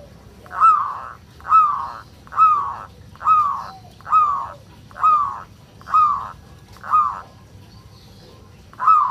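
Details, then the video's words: Local zebra dove from Indonesia giving 'ngerot' calls meant to raise other doves' breeding urge: a harsh, grating note repeated about once a second, evenly spaced through the recording, over faint background hum. "Suara perkutut lokal NGEROT, solusi untuk menaikan birahi perkutut agar cepat rajin bunyi"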